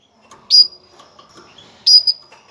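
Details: Female canary calling to prepare males for breeding: two loud, high, sharp chirps about 1.3 seconds apart. Each chirp ends in a thin, level whistled tail, and the gap between them is quiet.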